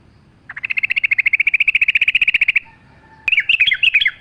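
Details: Sooty-headed bulbul in full song for a training lure recording with nature sounds: a steady, fast trill of evenly spaced notes lasting two seconds, a brief pause, then a warbling, up-and-down phrase.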